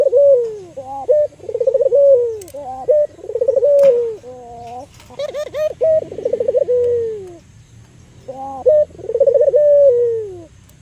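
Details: Local albino Barbary dove used as a lure bird, giving repeated rolling coos. Each stuttering, purring start slides into a drawn-out, falling tone, with brief higher paired notes between phrases and faint clicks in the background.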